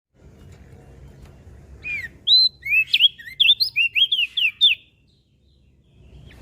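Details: Mountain leaf warbler song, used for luring and tutoring pet birds: a fast run of about a dozen bright, sweeping whistled notes, rising and falling, lasting about three seconds, over a low background hum.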